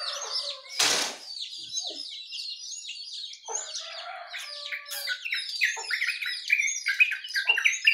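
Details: Morning chorus attributed to jongkangan, yellow-vented bulbul and white-eye; a sharp burst of noise near the start, then layered chirping and slurred whistled notes that build in volume toward the end.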